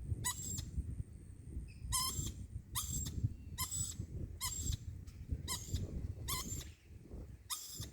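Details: Lorikeet making a puzzling repeated noise: eight short, squeaky, nasal bursts rich in overtones, coming irregularly every half second to second, over constant low rumbling background noise.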